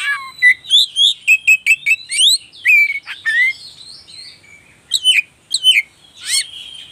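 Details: White-rumped shama song used as a lure to raise a caged bird's emotion and mating drive or make a silent bird sing, recorded on a phone: rapid varied whistled phrases, sharp rising and falling notes and chirps in quick bursts, clean background.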